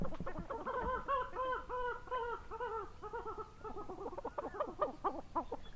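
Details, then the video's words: Coot in a natural wetland giving a fast run of nasal, clucking notes, each one arched and rich, repeated about four times a second and then breaking into ragged, quicker notes over faint background noise. "Coot Bird Sound | Real Calls of the Wetland Water Bird"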